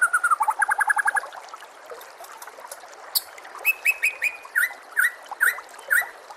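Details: White-rumped shama song recorded as a tutor for caged birds, beginning with a rapid rattling trill of repeated notes, then a pause and a steady series of short sharp whistles about twice a second.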